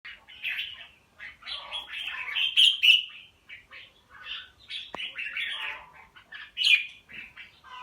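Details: Caged pied Red-whiskered bulbul, kept as a fighting songbird, showing a strong fighting attitude. It gives a rapid run of bright warbled and chattering phrases, mid to high pitched, with short squeaky notes and one sharp click.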